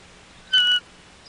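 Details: Female bald eagle at a nest on Catalina Island, California, greeting her returning mate with a single clear, thin whistled peep lasting about a quarter second, steady in pitch, over quiet background.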